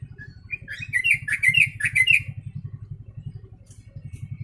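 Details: Yellow-vented bulbul performing a song filled with sooty-headed bulbul phrases: a short series of rapid, liquid, bubbling notes in the first half, then quiet, with a constant low motor-like pulsing throughout.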